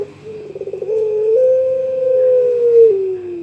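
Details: Young pelung-type Barbary dove calls toward a rival, opening with a quick pulsing trill that rises into a long steady note, which glides down near the close.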